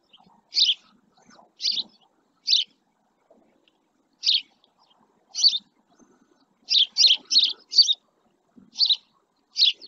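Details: Male house sparrow resting beside a live camera in the El Rocío marsh, Doñana National Park, Almonte, Spain: about eleven short, bright chirps in ten seconds, irregularly spaced, with a quick burst of four near the end.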